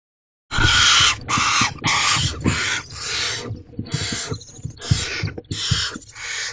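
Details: Wild barn owls at Owl Box C on 26 April 2023 at 5:41 am as the male delivers another meal: harsh, breathy hissing screeches in long bursts, with scuffling and thumps in the box.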